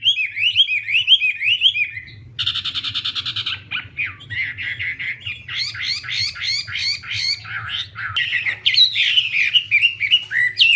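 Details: Busy Wambi song: jumbled warbles, a buzzy stuttering burst, then rapid chattering chirps and tumbling whistles, continuous and loud over a low hum.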